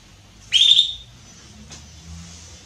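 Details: Female Belgian canary soliciting mating with a single loud upswept whistle lasting about half a second, then a faint click and low background hum.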